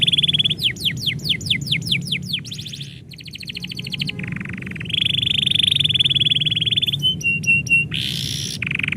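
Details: Domestic canary singing when its owner is about to go: steady tone, quick falling whistles, rattling trills, a long buzzy roll, then chirps and harsh bursts in varied sequence.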